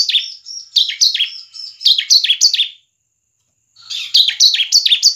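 Bar-winged prinia singing quick runs of bright, high chirping notes, about three a second, breaking off briefly before starting again.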